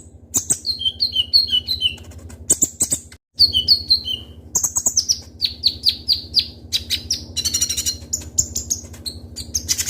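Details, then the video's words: Kolibri ninja sunbird, a kept bird in full vigorous song: runs of high, downslurred whistles repeated in rapid series, a brief gap, then dense sharp chirps and trills, with a low hum beneath. "Suara Burung Kolibri Ninja Konin Gacor Full Isian Tembakan Tajam Ngobra"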